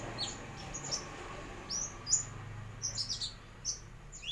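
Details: Juvenile brown-throated sunbird, just starting to learn to whistle and opening its beak to beg: thin, very high chirps and short sliding whistles, scattered irregularly, over a faint low hum.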